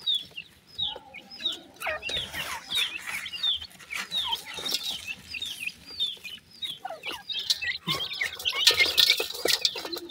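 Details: Black francolin chicks peep for their mother in a steady stream of short, high, downslurred chirps, mixed with scratching clicks and a louder noisy burst near the end.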